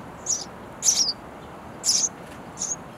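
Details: Hungry baby sparrows chirping for food in a bird house nest; four high, scratchy chirps of varying loudness, the middle two strongest, over a quiet hissy background.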